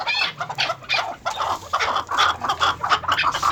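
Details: Farm-kept chukar partridges, maskati chakor crosses in breeding pairs, give uneven clucking notes, some in doubled bursts, with short gaps between them.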